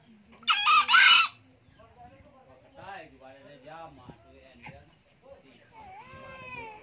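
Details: An old male green junglefowl gives one short, harsh, two-part crow. Soft clucks, murmurs and a drawn-out whining call follow afterward.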